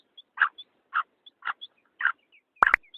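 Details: Calling female black francolin giving a brief series of four evenly spaced, short raspy notes meant to draw males. A faint high chirping sits in the background, and a sharp double click sounds near the end.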